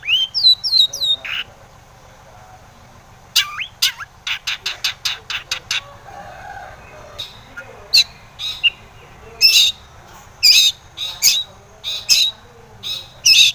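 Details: Lure song of a Long-tailed shrike meant to make rival shrikes respond: opens with quick thin whistled notes, then runs of harsh, rasping broadband bursts alternating with squeaky chips and pauses.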